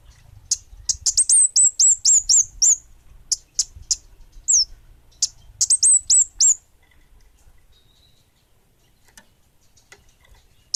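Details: Energetic orange-headed thrush delivering rapid bursts of very high, thin, downslurred chirps, some run together in quick trills, in two main sequences separated by a brief gap, then near silence.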